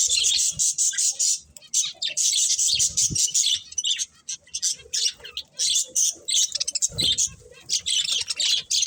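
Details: A group of budgerigars chirping in loud, sharp, high twittering bursts separated by brief pauses, with occasional low knocks.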